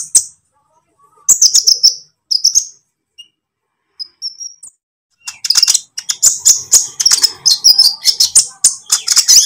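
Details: Green lovebird trotol singing used to coax kept songbirds: scattered high chirps and a thin whistled note, then a long, continuous stretch of rapid, squeaky chattering trills.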